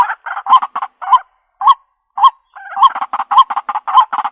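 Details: White-breasted waterhen calling for a decoy recording made on a Xiaomi Redmi Note 8: a rapid, croaking string of nasal notes, a brief pause, then dense repeated honks that run close together.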